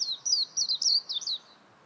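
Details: Warbling white-eye: a brief burst of about six thin, high, downward-slurred chirps in quick succession, then quiet.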